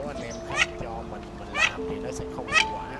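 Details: Male and female Mandarin ducks calling to the flock, a lure recording for night net trapping during the 2023 migration; three short, sharply rising squeaky calls about a second apart over steady background music tones.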